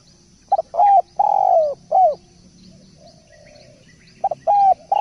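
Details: Spotted dove in full song, repeating low cooing phrases of short clipped notes leading into a drawn-out coo, with a pause between phrases and soft high chirping from other birds behind.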